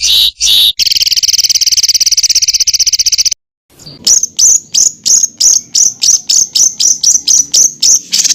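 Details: Songbird on a varied masteran recording for training shama, leafbird and magpie-robin. A dense, shrill, buzzy trill holds for about two and a half seconds. After a silent gap come evenly spaced piercing high chips, about three per second.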